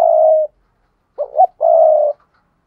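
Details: Spotted dove calling to lure wild birds: the tail of one long coo, a short pause, then two quick rising notes leading into a sustained, level low coo. Nothing else is audible.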